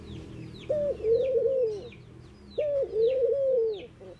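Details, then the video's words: Two mellow mourning dove phrases, each a short rising note followed by a drawn-out, softly undulating hoot, with faint high chirping of other birds in the background. "Mourning Doves Make Noise"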